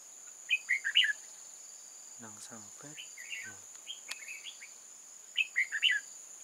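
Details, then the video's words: Decoy red-whiskered bulbul at a trap for wild bulbuls, 8 October 2018: lively chirped phrases at the start and end, softer warbling in between, with brief low voiced sounds and a steady high hiss. "Bẫy chào mào Rừng già chơi lăng xăng"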